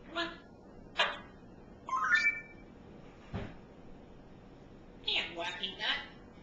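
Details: Pet African grey parrot babbling indoors: a string of short, varied squawks and chattering syllables with a brief whistled note, uttered in separate bursts across the clip.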